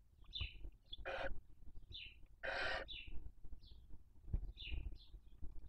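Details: Female barn owl feeding on the carcass of her smallest chick at a nest in Cabañeros National Park; two long, harsh, broadband hissing screeches stand out among short, high chirping calls, over low background rumble.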